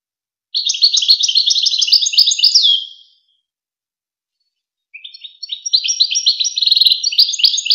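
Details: European goldfinch, tutor tape in the Wakr Touzgha style for chicks and hybrids: two long runs of quick, sparkling twittered notes, the first ending in a downward slur, separated by a short silence.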